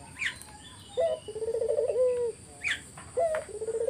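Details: Collared dove song used as a lure for answering doves: a sharp note, a pulsing rolling coo and a long level tone, then the start of another phrase, with scattered high bird chirps.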